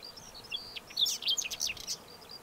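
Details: Singing Whinchat delivering one dense, grating warble of quick high chirps and buzzy notes that builds for about a second and then cuts off abruptly.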